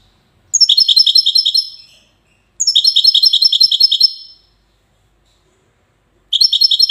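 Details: European goldfinch singing in the Wedani song style, from the city of Safi, Morocco: three bright bursts of rapid, tinkling high notes, each stuttered phrase lasting over a second, separated by short silences.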